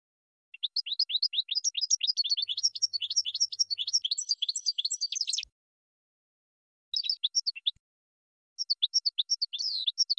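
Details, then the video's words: European goldfinch song from a long training recording meant for birds to learn from: rapid bursts of bright, tinkling twitters and trills, a dense phrase of about five seconds, then two shorter phrases after brief pauses. "GOLDFINCH 12h MAESTRO"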